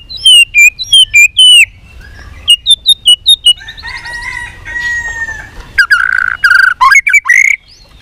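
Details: White-rumped shama being trained to sing in contests, many-voiced song: bursts of loud repeated high notes, a sustained steady whistle in the middle, then a rich, dense closing phrase.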